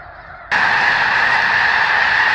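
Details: Snow geese by the thousands at McNary National Wildlife Refuge near Burbank, Washington: a softer distant din for half a second, then the clamor of honks jumps abruptly loud and stays intense.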